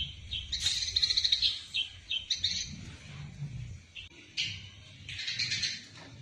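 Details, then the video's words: Eurasian tree sparrow in fighting form, used to train other songbirds: irregular bright chirps and short twittering phrases with uneven pauses, quieter than sustained chatter, faint low background hum. "Masteran burung gereja tarung istimewah"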